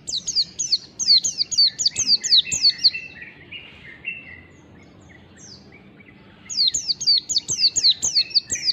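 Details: Ngalas mountain white-eye delivering its long, fast song: a rapid cascade of shrill down-slurred whistles, a few seconds of near silence with scattered soft notes, then another quick, dense burst.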